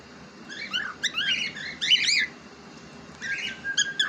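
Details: Pet cockatiel, described as talking, gives a dense stream of warbling chirps and rising whistled syllables, pauses briefly, then adds a few sharp squeaky calls.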